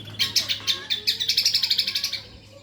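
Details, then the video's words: Kombok singing a fast chattering series of about fifteen sharp, high chirps that quicken into a buzzy trill before fading away, with a faint low hum underneath. "Kicauan Kombok"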